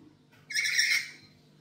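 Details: Black-capped lory at home, a vocal bird recorded to lure others, letting out one raspy screech of about half a second, a little distant, over faint background noise.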